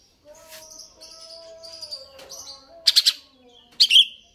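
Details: Greater green leafbird: soft, wavering whistled phrases, then two loud, rasping chattering bursts near the end.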